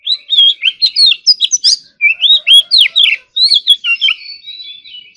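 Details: Oriental magpie-robin singing in morning practice in competition style: rapid, varied whistled notes, about four a second, arched and falling in pitch, fading into soft high twittering at the end.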